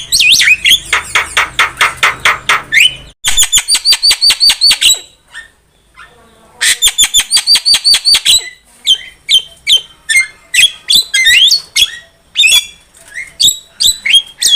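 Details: Javan myna lure song for trapping: fast trains of repeated high, clipped whistled notes, a short pause, then more rapid repeated notes and scattered squeaks and clicks.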